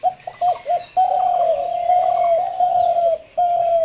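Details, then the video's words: Dove cooing loudly and close: a few short stuttering notes, then one long unbroken flat note of more than two seconds, followed by another sustained note after a brief pause. "ঘুঘু পাখির অসাধারণ ডাক"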